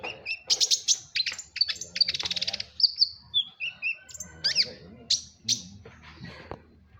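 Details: Madura long-tailed shrike singing hard: rapid chattering bursts and a fast buzzy trill, then clear descending whistles and sharp high notes, with background chatter and a low rumble.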